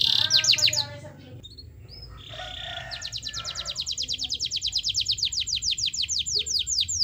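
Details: Caged canary singing to provoke lazy canaries into song: a brief harsh buzzy phrase, a pause with faint notes, then a long rapid trill of sharp descending whistled notes repeated several times per second, steady and bright.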